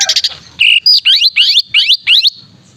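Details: Male greater green leafbird singing to spur other leafbirds into song: after a few short chips, a fast series of six bright rising whistled notes repeated about every quarter second, loud and clean.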